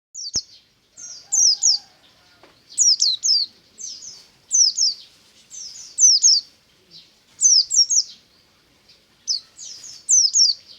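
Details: White-eye singing in the morning in the ngalas style: bright, high, downslurred chirps in quick pairs and triplets, bursts repeated roughly every second, with a faint low hum in the background.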